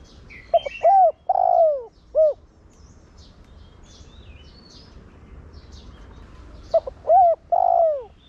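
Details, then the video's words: Spotted dove decoy in 'thổ đồng' style, calling to draw other doves into cooing. The four-part coo phrase comes twice, with a pause of several seconds between, amid scattered high chirps of small birds. "Cu gáy Giọng Thổ Đồng Gáy Gọi kích bổi nhanh gáy/cu gáy mồi kích bổi mau nổi"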